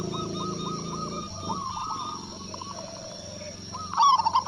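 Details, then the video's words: Local zebra dove in Indonesia calling back to a lure. Soft wavering coo notes run through the first half over low rumbling background, ending with a sudden loud, rapid cooing burst. "Perkutut Lokal Gacor Suara Besar | Cukup Hanya Sekali Pancing Kutut Langsung Nyaut"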